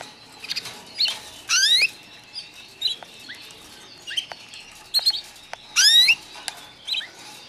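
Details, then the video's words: Young white foreign canaries, just arrived, calling with loud, high, rising sweeping chirps repeated in clusters, mixed with short upward-flicking squeaks and clicks throughout. "چوچه های کنری خارجی سفیدتازه رسیده"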